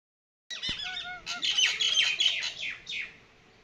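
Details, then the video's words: Common myna singing in summer, a bird known for mimicking: a loud, varied burst of clear whistled and slurred notes, then harsh, scratchy chattering phrases running for about three seconds before fading. "Typical Indian Myna Bird Singing Sound | Mimicking Bird | maina bird sound | Myna bird summer"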